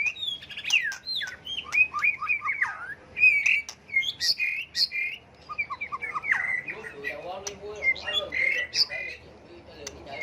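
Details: Varied white-rumped shama song meant to spur other birds into singing contests: rapid changing whistles and sharp chirps for six seconds, then lower quick warbled twitters and a few high notes near the end.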